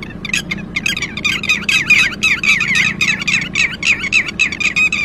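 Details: Red-wattled lapwing in alarm after losing a chick: hurried, overlapping shrill notes in a dense excited chatter, several per second, over a faint low hum.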